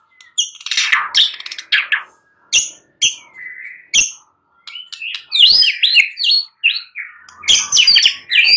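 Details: Shama song at night, played to provoke singing replies: sharp high chips and scratchy notes, a short level whistle, then a rapid jumble of buzzy, mimicking-sounding phrases.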